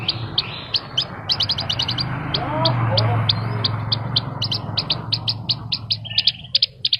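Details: Vigorous singing from a Horsfield's bush lark, song packed with filler phrases: bursts of rapid high chirps and clicks, briefly masked by a rushing noise in the middle, then clear spaced chirps return over a low hum.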